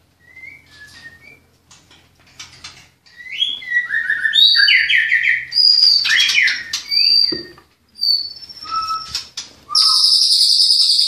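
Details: At a bird-breeding farm in Klaten, a white-rumped shama starts with soft, scattered whistles. It builds to a loud burst of sweeping, chattering phrases, followed by isolated notes and a high, harsh rasping finish.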